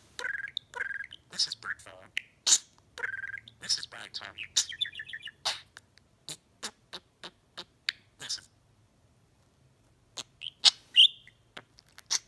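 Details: Talking pet budgie, a male parakeet learning human phrases and song words, gives a fast stream of buzzy, speech-like warbles and high chirps, then sharp clicks repeated about twice a second, and ends with scattered squeaks.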